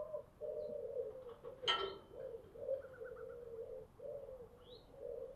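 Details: Spotted dove kept as a decoy to lure wild birds, deep-voiced: a steady run of low, even coo notes over a hissy background, interrupted by a sharp broadband click.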